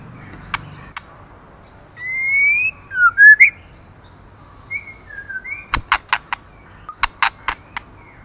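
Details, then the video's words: Female white-rumped shama stimulating the male: soft whistled and slurred notes, a looping phrase, then a fast series of dry ticking clicks repeated in two bursts. "Choè lửa mái kích trống"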